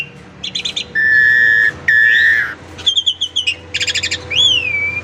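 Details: Varied song of a caged Asian pied starling used as a lure to prompt singing: long flat whistles, rapid buzzy pulsed notes and a final rising and falling whistle.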